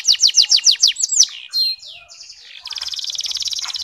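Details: Caged canary from Pemalang, Central Java, Indonesia, singing a fast varied song: a run of rapid descending whistled notes, a few sweeping slurs, then a dense buzzy trill at the end.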